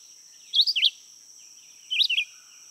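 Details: Red-eyed Vireo (Vireo olivaceus) singing its summer song from the upper canopy, where it sings all day: two short, slurred, up-and-down phrases about a second and a half apart, with a steady high insect hiss behind.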